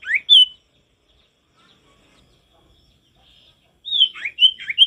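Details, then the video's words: Vigorous male sirtu with forest-style singing: a loud rising-and-falling whistled phrase, a long pause, then a burst of slurred high whistles in quick succession. "Sirtu gacor gak ada lawan suara ngalas alami"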